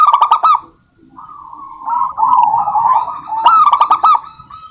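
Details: A local female zebra dove calls a rival in a series of rapid, rolling coos, beginning and ending with louder, sharp-edged bursts, separated by a short pause.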